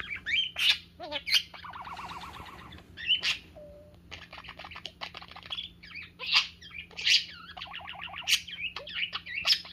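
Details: Pet parakeet showing trust while playing with its owner's fingers; lively chatter of loud sharp chirps, buzzy pulsed warbles and a brief plain whistle, with notes coming in quick irregular bursts.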